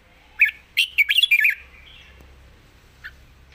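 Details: Young red-whiskered bulbul singing soft, pleasant phrases: a short, quick burst of bright, warbled whistled notes lasting about a second, then a faint trailing note and a single chirp after a quiet pause.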